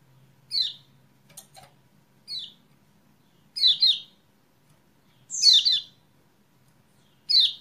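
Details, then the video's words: Lemon-bellied white-eye chirping, used as a lure to make silent birds start singing, dated 28/11/20: high, thin downslurred notes, sometimes doubled or in short clusters, at irregular gaps of one to two seconds. "PANCINGAN CEPAT GACOR UNTUK KECIAL KUNING MACET"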